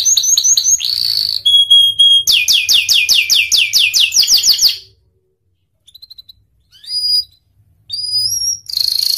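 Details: Panda canary singing actively. Quick chirp series and a pure sustained whistle lead into a long run of sweeping notes. Then come silence, a few scattered soft notes and a final burst.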